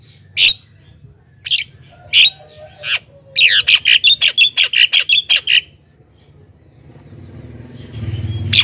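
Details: Energetic Javan myna chatter for luring wild mynas: four separate harsh squawks, then a fast burst of about a dozen rasping notes, fading into low rumbling noise.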